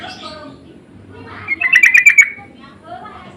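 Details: Sooty-headed bulbul giving insistent lure calls that answer each other: a single rapid burst of about six harsh chirps in mid-recording, with faint softer sounds before and after.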